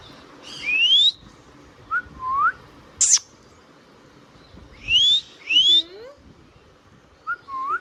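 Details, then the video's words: Pet Indian ringneck parrot giving paired rising whistles, short upslurred notes and one sharp, high squeak, separated by brief silences. "Ringneck Parrot Talking Sound video | Indian Ringneck parrot natural sound"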